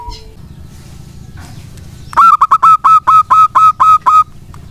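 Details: Local wild-type zebra dove song, used as a lure so reluctant doves reply and sing. After two quiet seconds comes a brisk run of about nine bright staccato coos, evenly spaced and ringing.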